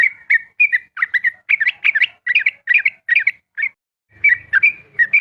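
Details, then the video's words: Sooty-headed bulbul in dawn ropel song: a steady, rapid stream of bright, slurred whistled notes, a little harsh, clustered in quick bursts. The singing breaks off briefly near the end, a faint low rumble is heard, then the song resumes. "TrucukAn ropel subuh"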